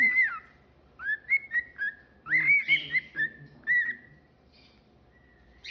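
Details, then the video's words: Pet cockatiel whistling indoors: an opening wavering whistle, then a series of short rising and level notes, a louder burst with buzzy overtones, and quiet after about four seconds. "Sunday tunes with Theo"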